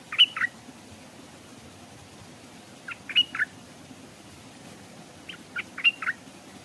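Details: Stripe-throated bulbul decoy hung beside a stream, visiting birds staying off; three short phrases of three or four bright chirps, about every three seconds, against a soft low rumble.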